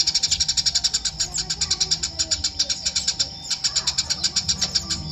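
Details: Eurasian tree sparrow chirping steadily: a fast, even series of high, clipped chirps, about four per second, running without a break for five seconds.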